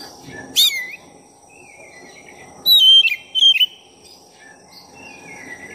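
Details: Black-breasted oriental magpie-robin singing to stir up rival magpie-robins. A sharp opening note is followed by quiet sliding whistles, then two loud clusters of clear, pure whistled notes near the middle, with soft high tones trailing off.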